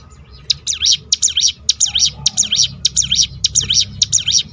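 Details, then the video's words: Ciblek gunung, a prinia, giving its rapid 'tembakan' roll used to provoke other birds into singing: a fast string of high, sharply up-and-down sweeping notes, about nine in four seconds, starting after a brief quiet moment. "roll tembakan ciblek gunung memancing bunyi burung lain."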